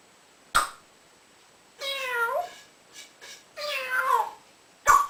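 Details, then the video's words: A pet male African grey parrot, about three years old and known to mimic a cat's meow, gives two drawn-out, meow-like mimicked calls with rich harmonics, framed by sharp clicks or knocks at the start and end. "My African Grey Parrot"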